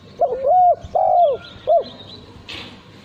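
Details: Male spotted dove, kept as a cage bird prized for its melodious coo in song contests, gives three loud, clear coos: a short lead note, a long level coo, then a brief closing note; faint higher chirps in background.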